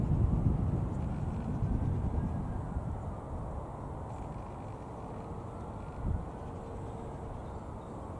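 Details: Steady low rumble of wind and distant traffic at a reservoir lake in Dorset, United Kingdom, with no clear animal calls.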